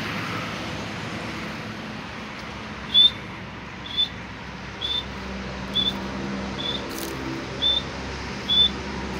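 Grey francolin giving seven short, shrill whistled notes about one per second, over a steady low rumble of traffic.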